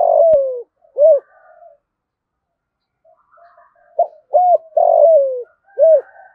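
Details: Spotted dove calling other doves with thổ cục đinh style cooing: two groups of low mellow coos, each with a long falling note and short rounded hoots, separated by a pause.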